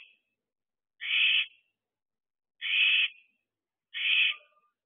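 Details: Wild barn owlets in a nest box on 11 July 2023, about fourteen weeks old around dispersal time: three harsh, breathy hisses, each roughly half a second long, spaced about a second and a half apart, with silence between.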